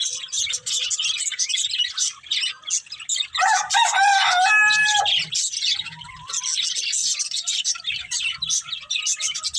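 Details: Feeding budgerigars chatter in a high, grating warble, with a louder burst of stacked whistled notes in the middle.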